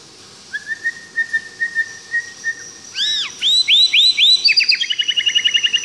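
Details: A white-rumped shama, recorded live, sings a varied, rich phrase: a run of thin, even whistled notes, then loud swooping slurs and a rapid bubbling trill, over faint background hiss.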